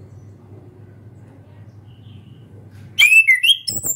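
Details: Young orange-headed thrush beginning to sing the ngeplong style: a low hum for three seconds, then a quick run of loud whistled notes, rising and falling slurs with short chips.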